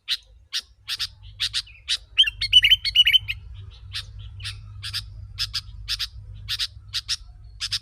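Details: Sooty-headed bulbul lure for wild birds: sharp, scratchy chip notes in pairs, with a short burst of fluttering, wavering whistles just after two seconds, over a steady low hum.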